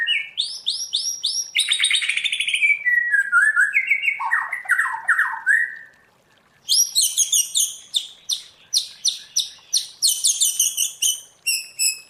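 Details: Caged white-rumped shama in training, singing varied wild-style song: high rapid chattering notes, then lower descending whistled phrases, followed by a series of sharp repeated high notes at about three per second.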